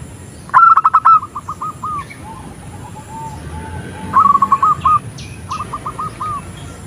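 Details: Female zebra dove calling to the male: bursts of short rolling notes near the same pitch, a quick stuttering run at the start, then softer repeated phrases, and a second loud run partway through, over low background hiss.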